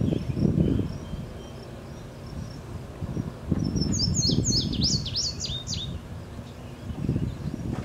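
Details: Indigo bunting singing at the Julien Dubuque monument in Dubuque, Iowa, on June 17, 2017: a quick run of high, sweet, down-slurred notes, some in pairs, over a low rumble of background noise.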